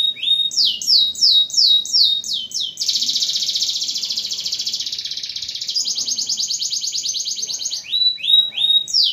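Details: Canary in full song, meant to coax quiet canaries back into singing: repeated falling whistled notes, then a long dense buzzy trill lasting several seconds, ending with more swept whistles.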